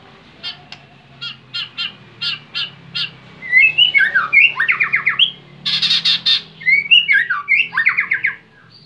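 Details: White-rumped shama in its bowing display: a run of short sharp repeated chips, about two per second, then rich fluttering whistled phrases, rising and falling, with trilled buzzy bursts between them.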